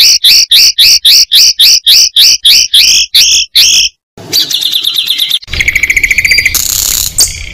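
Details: Competition Oriental magpie-robin singing loud evenly spaced two-part whistled notes, then after a gap a hurried scratchy chatter and a dense jumbled warble with background hiss.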